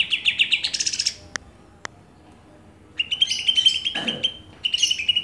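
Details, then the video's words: Song of greater green leafbirds, Banyuwangi versus Kalimantan: a rapid pulsing trill, two sharp clicks, then a long steady high warbling run of quick notes. "Bongkar isian, Cucak Ijo Banyuwangi vs Cucak ijo Kalimantan"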